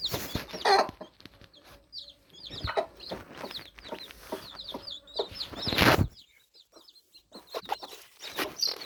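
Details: Several just-hatched baby chicks giving rapid, thin, high peeps that slur downward and overlap constantly, with occasional heavy thumps and scuffling noises between the calls.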